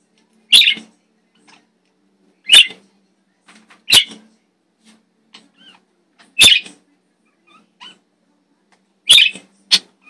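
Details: Pet parakeets, with the blue one chirping and screaming: six harsh, high, rasping screeches at uneven intervals one to two and a half seconds apart, with faint chirps between them.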